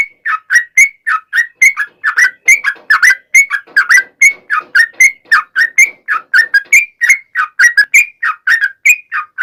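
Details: Sooty-headed bulbul singing in full form, used to draw answers from other bulbuls. Many quick, bright, whistled two-note phrases follow one another in an unbroken even run for nearly ten seconds.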